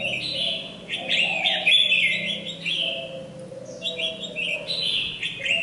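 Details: A red-whiskered bulbul, a lure bird that is moulting but still singing energetically, gives lively, bright warbled phrases rising and falling in quick runs with brief pauses, over a faint low background hum.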